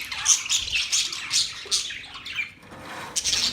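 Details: Brief burst of parrot chirping: quick, scratchy high notes repeated rapidly and irregularly, a short lull near two and a half seconds, then the chatter resumes.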